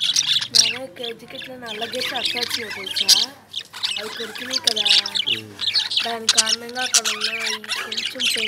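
Lovebirds keep up a continuous harsh, shrill chatter of squawks and quick chirps, with low human voices talking underneath.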